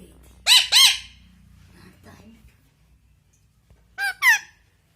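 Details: A pet Indian ringneck (rose-ringed parakeet), angry and scolding: two pairs of loud, harsh squawks with rising-falling harmonics, the pairs about three seconds apart, with faint room noise between.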